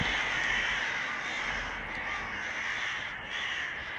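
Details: Evening flock of crows outside a window in summer, usually silent but this time making a loud racket: dense, continuous harsh cawing from many birds overlapping into a steady raucous din with no pauses.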